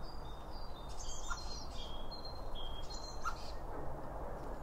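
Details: Chirping birds taking food at a feeder, captured binaurally behind the seed: a run of thin high notes and quick twittered bursts, with a low background rumble throughout.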